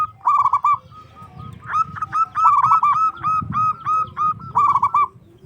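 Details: Loud-voiced local zebra dove song meant to draw other doves into singing: rolled, purring coo bursts and quick runs of separate hooting notes, several voices overlapping at slightly different pitches over low background rumble.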